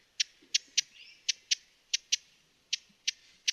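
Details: Broad-billed hummingbird (Cynanthus latirostris) of western North America gives dry, sharp, clicking chip notes, about ten in under four seconds, spaced unevenly with short gaps. The background is quiet.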